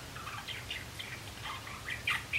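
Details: Young male Java sparrows, one of three learning song in April 2016: a brief string of soft slurred chips ending in two louder ringing notes.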